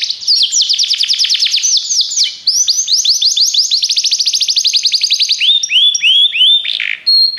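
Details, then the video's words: Rapid rolling trills from a Belgian canary in training song, changing from steep downslurs to faster rising notes, closing with slower, drawn-out falling whistles. "o melhor som canário !! treinamento canário belga cantando"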